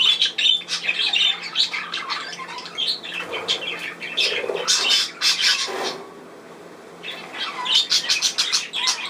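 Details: Budgerigars on 10 June 2024 in scratchy, squawking chatter with short whistles, falling briefly quiet for about a second before the noisy calling resumes.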